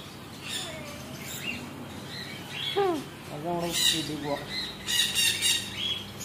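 A lory gives harsh, squawking parrot calls with a few bent, down-slurred notes, plus scattered higher chirps in irregular bursts.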